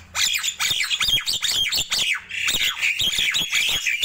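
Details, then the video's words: Nias hill myna in the morning, pouring out a steady stream of harsh squawks and piercing whistled notes with barely a pause. "Ramainya Kicau Jalak Nias di Pagi Hari"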